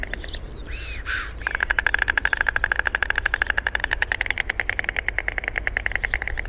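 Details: A white stork (Ciconia ciconia) gives a rapid, wooden bill-clattering, a fast steady rattle of dry knocks preceded by a few brief calls, over a low wind-like rumble.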